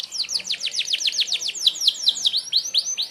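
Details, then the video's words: Sharp 'merlok' shots from a canary, used for mastering other birds: a steady series of crisp downslurred notes roughly six per second, slowing into rising and falling whistled notes. "tembakan tajam kenari merlok, sangat ampuh buat pemasteran burung anda"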